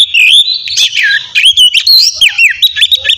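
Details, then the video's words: Oriental magpie-robin in energetic morning song meant to stimulate other birds: dense, continuous warbling of high whistles, quick slurred notes and twittering trills with hardly a break. "terapi pagi cocok buat mancing kacer agar cepat gacor dan bukor"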